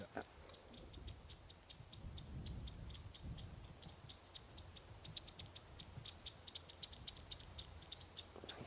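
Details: During a morning safari drive, upset batis flycatchers give alarm calls while the guide scans for a resting leopard: dry, rapid clicking ticks repeated several times a second, over a low engine rumble and faint voices.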